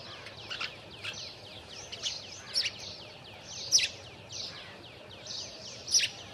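House sparrow chirps, with dense overlapping high chirruping from several birds and sharper chirps standing out about every one to two seconds.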